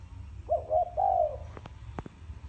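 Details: Spotted dove cooing in thổ sấm style: a short stuttered low note followed by a longer wavering coo, then several sharp clicks or taps and soft low rumble.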